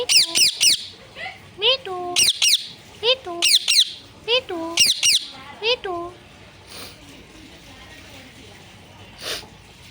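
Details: Parrot said to say 'mummy papa' and 'sitaram': repeated voice-like phrases, each a sharp screech sliding into lower falling tones. The bursts come in quick succession for six seconds, then quiet with faint background noise.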